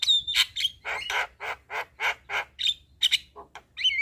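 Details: Evening black-winged starling song meant for training young birds: rhythmic series of harsh, rasping notes about every quarter second, broken by short high whistles at start and end, over a faint low hum.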